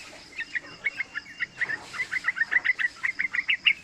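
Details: Yellow-vented bulbul youngster singing as a lure for training: a steady, fast sequence of short chirps, about three to four per second, over a hissy background.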